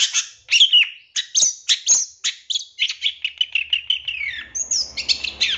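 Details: Long-tailed shrike song for teaching caged birds: sharp downward notes, then a long, quickening run of buzzy chips that slide lower, closing with high whistles over a faint low hum.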